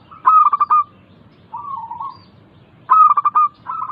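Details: Zebra dove song meant to stir idle caged doves into singing: two loud phrases of rapid pulsed coos ending in a held note, separated by a softer, lower rolling coo.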